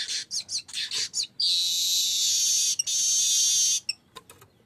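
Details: Streaked weaver (manyar kembang) in full song, used as a lure call: a run of quick high rising chirps, then a long dense buzzy trill sustained about two and a half seconds, ending in a few sharp clicks.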